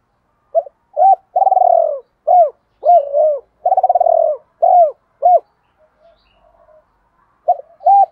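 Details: Spotted dove calling as a decoy for wild birds. Two long tremulous coos sit among crisp arched hoots in a dense run, then a quiet gap and a final pair of hoots.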